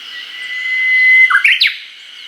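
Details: Japanese bush warbler singing in an early-summer forest in Hokkaido, recorded with a Nikon COOLPIX P950: a long, steady whistled note held for over a second, then a quick rising-and-falling flourish of two short notes and a sharp downward sweep, over a constant background hum.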